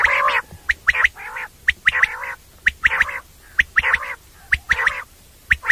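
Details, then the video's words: Common quail (batair) calling, a special night call used by hunters: short sharp notes often grouped in threes, mixed with hoarser, broader croaking bursts, repeated about once a second with clicking in the background. "Batair sounds common Quail sounds Batair ki awaz rat k liya special awaz"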